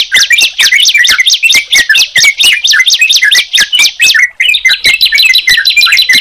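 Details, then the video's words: Sunda pied chat and yellow-vented bulbul: repeated falling-then-rising chirps delivered about twice a second over a high buzz, a short break, then quicker, softer twittering. "Suara Ciblek Dan Trucukan Jika Dipertemukan"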